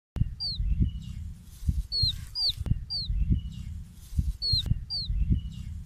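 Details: Small, colourful chicken chicks peeping: sharp, high, downward-sliding whistled chirps in loose clusters with irregular gaps, over soft low thumps and rustling from movement.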